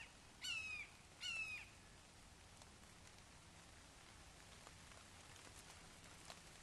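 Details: Red-shouldered hawks at a nest in Wake Forest, 29 May 2023 at 08:38, as the father brings a frog to a fledgling: two faint, thin descending whistled calls close together, then quiet background hiss.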